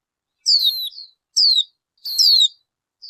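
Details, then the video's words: Bird uttering thin, high down-slurred whistled notes, each about half a second long, repeated roughly every second with short silences between. "Suab noog ncwb qua dib tuaj zoo tiag tiag."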